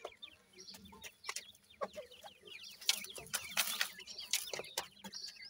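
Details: Iranian francolin chicks calling together: a dense overlapping stream of short, high, rising peeps from many chicks, mixed with sharp clicking and rustling noises.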